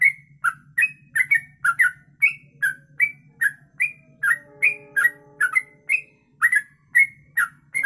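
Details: Yellow-vented bulbul (trucuk) singing 'ropelan' style for tutoring other birds: repeated slurred whistled chirps about twice a second over a steady low mechanical hum, with a faint drawn-out tone in the middle.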